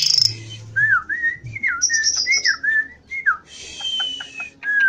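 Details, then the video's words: Energetic Javan pied starling song: a string of twisting whistled notes, some rising and some falling, punctuated by short hissing buzzes and soft clicks. "Jalak suren Jawa gacor"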